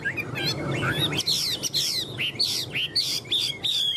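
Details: Tame caged Chinese hwamei, said to cling to its perch and show off wings and tail, singing loud varied whistled phrases, slurred rising and falling notes in quick bursts, with a low background rumble at first.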